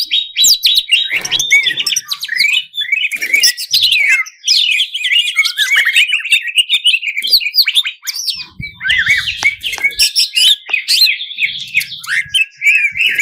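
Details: Greater green leafbird giving a long, richly varied fill song to rouse contest birds. Harsh chatter, rapid whistles and descending slurred phrases flow almost without pause for over thirteen seconds.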